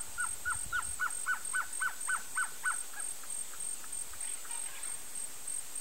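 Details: Male blue-crowned trogon giving a run of clipped, hollow notes at a steady pace that fade toward the end, while a continuous thin, high whine runs throughout.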